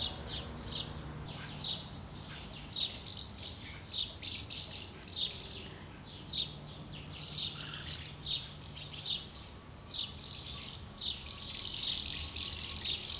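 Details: Many house martins crowding around two nests, feeding and fledging young on 24 August 2012; rapid high chirps and buzzy twitters follow one another almost continuously, growing denser toward the end.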